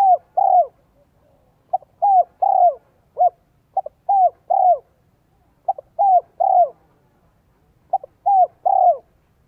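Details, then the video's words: Spotted dove in Vietnam, a decoy bird with a 'giọng son 1 cốt lỡ' voice used to lure wild doves, gives low mellow coo phrases: a short clipped note then two longer downslurred coos, repeated about every two seconds. "CHIM CU GÁY GIỌNG SON 1 CỐT LỠ KÍCH BỔI NHANH NỔI HIỆU QUẢ NHẤT"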